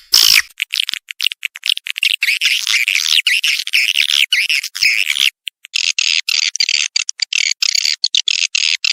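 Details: Lure recording, 2023 revision, for attracting swiftlets: a nearly continuous stream of sharp, high, rattling chirps, shifting midway into a steadier, hissy buzzing chatter.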